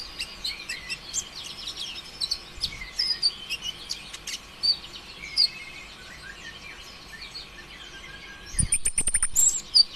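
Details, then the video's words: Olive-backed sunbird (konin ijoan) singing nonstop in rapid bursts, used as a lure to stir other sunbirds into song; high, thin chirps and quick twittering sweeps, with a loud buzzy scratchy burst near the end. "PANCINGAN ampuh suara konin ijoan KONSLET"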